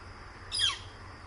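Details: Northern flicker calling quite close at 10 am: a single harsh, high call slurring quickly downward, lasting about a quarter second, over a faint low hum.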